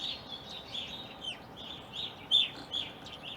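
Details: Evening grosbeaks, uncommon in Ohio, heard in a backyard during winter and spring 2021. A rapid chatter of bright, slurred chirps comes from several birds at once, with one louder ringing note standing out.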